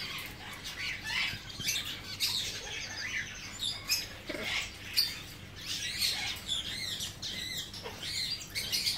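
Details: Young male Blue-winged macaw, hand-reared and tame, born in 2017: scratchy, high-pitched squawks and sharp chirps come in uneven bursts with short quieter gaps between them, over a faint low background hum.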